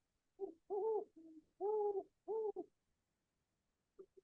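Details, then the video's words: A great horned owl hoots a deep, soft rhythmic phrase of about five low hoots, the middle ones longer, then a faint short note after a pause; a sound of northeastern forests after dusk. "So if you're able to hear that sound, that's the hooting of a great horned owl, which is the species pictured in the background here."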